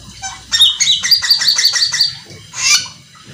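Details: Cucak keling singing busily with rapid fills to excite rivals into song: a fast, stuttering series of scratchy, nasal notes for about two seconds, followed by a single rasping squawk.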